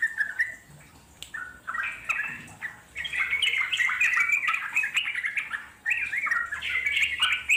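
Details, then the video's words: Wild yellow-vented bulbul in long rapid ngeropel chatter, meant as playback that draws wild birds to answer: bright, bubbling clusters of short notes, quieter at first, then a dense continuous run with a brief pause near six seconds. "puterin suara trucuk alam di jamin lasung nyaut NGEROPEL PANJANG"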